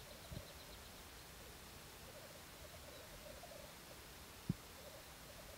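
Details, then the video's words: Black grouse courtship display: a soft, continuous low bubbling coo, faint against a steady background hiss, with two sharp knocks. "Parade tétras lyre"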